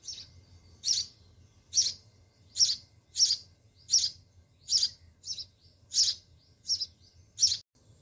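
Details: Sparrow chicks being fed in their nest in a home garden: a steady series of about a dozen sharp, high chirps, coming a little more than one per second, with a faint hum below.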